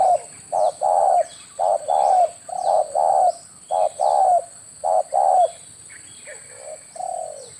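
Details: Tekukur or derkuku, the spotted dove, calling as a hunting lure; a rapid run of low, mellow coos, short notes each followed by a longer rolling one, about one per second, fading near the end, with faint bird chirps.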